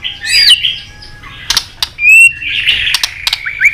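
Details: A white-rumped shama singing its competition fighting song: a warbled phrase, scattered clicks, a short whistle, then a sustained rich whistled passage with chips.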